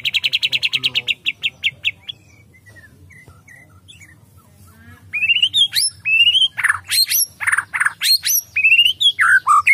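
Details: White-rumped shama, agitated and in full voice: a fast run of about a dozen repeated clipped notes, a quiet pause, then bursts of loud varied whistles, upward slurs and rasping squawks.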